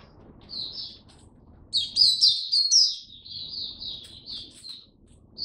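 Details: Oriental white-eye kept as a hobby songbird, on a first-day supplement trial: soft high chirps, then a louder burst of rapid slurred twitters, then a fading run of thin notes.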